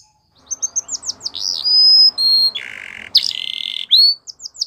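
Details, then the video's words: Belgian canary training song for young canaries: quick chirps and a held whistle, then a low buzzy roll, a loud harsh burst and closing short notes, with soft low background rumble. "Canary Training Song | Belgian Canary"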